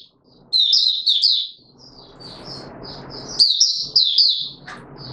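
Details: Oriental white-eye, a cage bird in courtship mode, giving lively high warbled phrases, a quieter run of soft chirps over background hiss, then renewed bright twittering bursts.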